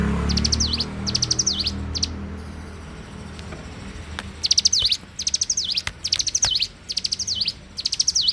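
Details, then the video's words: Bar-winged prinia singing vigorously in the morning: bright phrases of quick high ticks ending in a sharp down-and-up slur. A burst opens the recording, a quiet stretch with low rumbling follows, then the phrases return in rapid succession. "suara alam cigun gacor dipagi hari"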